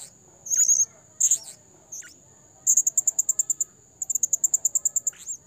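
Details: Blue-crowned hanging parrot, recorded as a trapping lure: a few isolated shrill notes, then fast even strings of sharp, very high ticking chirps, about three per second, over a steady faint high hum.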